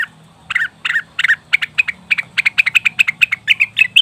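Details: Leafbird lure for attracting wild birds: rough, burry notes at first, then gradually faster and higher clear chirps, over a steady low background hum.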